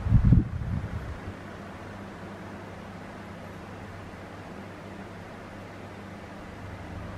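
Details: A brief thump at the start, then a constant low mechanical hum; no animal sounds.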